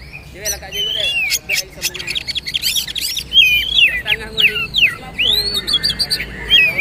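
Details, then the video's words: Song of magpie-robin for tutoring young speckled birds: rich series of looping whistles and quick zigzag notes, growing louder toward the end. "Masteran Kacer/Poci trotol agar ikut bunyi terbaru"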